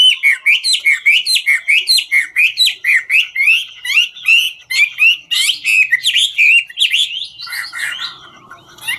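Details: Ngũ trường hwamei in full song while dancing, pouring out a long, fast, even series of looping whistled notes, several per second, before it trails off into quieter fragments near the end.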